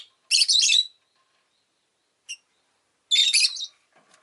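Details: Rosy-faced lovebird kept as a pet, chirping in two harsh, buzzy bursts about three seconds apart, each half a second long, with a short sharp chip between them; quiet background.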